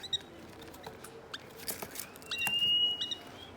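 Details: Three-week-old hand-fed African lovebird chicks playing; a thin whistled note slides and holds high around 2.5 to 3 seconds amid soft clicks, scratches and brief high chirps.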